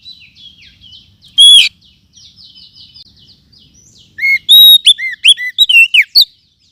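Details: Oriental magpie-robin from the forest, lure sound for tutoring songbirds: soft, rapid buzzy chatter with one loud burst, then a bright sequence of clear whistled notes bending up and down near the end.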